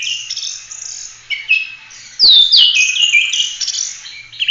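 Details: Oriental magpie-robin in continuous full song used as a master for training other birds; varied warbling and buzzy phrases, with loud sharp slurred whistles and clicks partway through.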